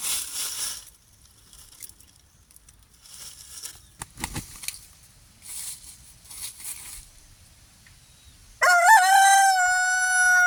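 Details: Free-range pastured rooster on an off-grid homestead crowing: after quiet rustling and faint knocks, a loud, harmonic-rich crow bursts in and holds a sustained, slightly wavering tone to the end.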